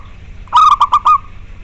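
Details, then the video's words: Single phrase of a zebra dove cooing, recorded for training a reluctant dove to sing: a quick run of about four low, hollow coo notes. "Suara lokal alam melatih mental dan untuk terapi bagi perkutut yang malas bunyi"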